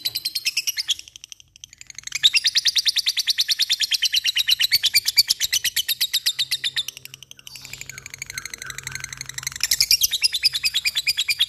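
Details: Lovebird in full song with the laughing "ngekek" style, rapid high chattering notes repeated about three times a second in long unbroken bursts, short pauses between runs.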